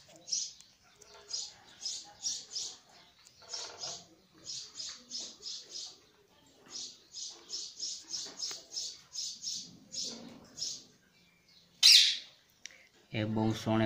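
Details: Not fully grown sparrow chick chirping in long runs of clipped, high-pitched notes, often in pairs or triplets with short pauses, ending with a sharp click and a loud low rumbling noise.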